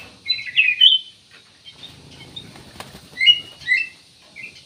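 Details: Black-naped oriole, an energetic singer offered as a lure to set other birds singing: two brief bursts of slurred whistles and chirps separated by a quiet gap of about two seconds, with faint rustling between.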